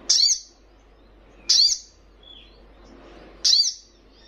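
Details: Young Little Spiderhunter giving loud, sharp, high chip calls, three notes roughly one and a half to two seconds apart, with a faint thin whistle between them.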